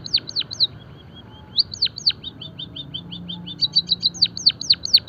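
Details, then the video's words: Song of a Java sparrow, offered as training and stimulation material: loud falling chirps alternate with soft quick ticks, then a dense run of sharp repeated notes and descending sweeps near the end. "emprit kaji gacor - masteran dan pancingan burung pipit jawa peking bondol haji biar gacor"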